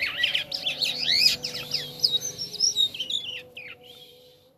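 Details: Starling known as jalak kapas in lively song, pouring out a fast tumble of high whistled and chirpy notes, then fading into softer scratchy warbles; a faint low hum runs underneath.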